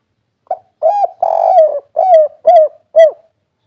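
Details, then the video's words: Spotted dove giving its 'kuk 3' three-beat cooing style, a natural local voice: a run of low, hollow coos, one short, then a longer drawn-out note, followed by four evenly spaced rounded coos in a quiet setting. "Suara burung derkuku kuk 3 ful gacor"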